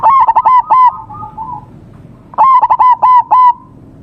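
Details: Lively local zebra dove song recorded at a DIY bird trap, two phrases of quick, emphatic coo notes, each ending in a short trailing murmur, with quiet gaps between.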